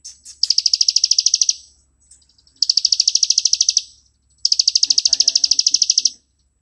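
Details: Plain prinia in continuous 'ngebren' style, used for master training: three strong bursts of rapid, metallic, high repeated notes, each about a second long, separated by brief pauses. Faint low chatter follows the last burst.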